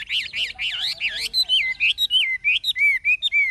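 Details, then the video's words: Forest-voiced old wild hwamei, Chinese hwamei with a fig-leaf tail, sings rolling, wavy whistles at first. It then switches to clear, separate downslurred notes repeated about three times per second. "Họa mi già rừng chuẩn giọng rừng hay"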